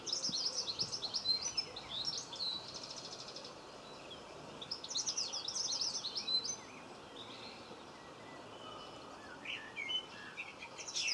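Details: Common linnet (Linaria cannabina) in a Cornwall garden, 26 November 2015, giving quick, bright, high twittering phrases in two bursts with short trills between, over a soft background hiss.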